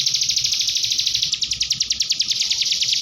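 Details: Canary-style song of a common iora, a training recording for prompting young birds to sing; fast run of sharp, high, slightly downslurred notes, roughly three per second, continuous and loud.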